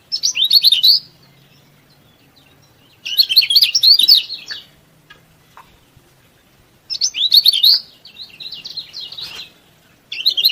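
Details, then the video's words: Training song of a yellow-bellied prinia for stirring up rivals: loud bursts of quick, high, scratchy twitters about every four seconds, separated by quiet pauses. "KECIAL KUNING GACOR BIKIN KECIAL MALAS BUNYI RAJIN BUNYI"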